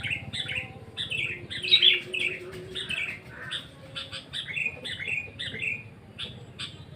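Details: Sooty-headed bulbul in song, giving a steady run of short, bubbly, slightly descending whistled phrases about twice a second over a faint low hum.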